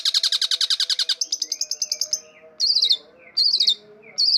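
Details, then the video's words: Long-tailed shrike in full energetic (gacor) song, used as bait, lure and tutor recording: a fast, rattling series of sharp chips, then a run of high clipped notes and three short buzzy warbled phrases. "the sound of the world champion gacor long-tailed shrike"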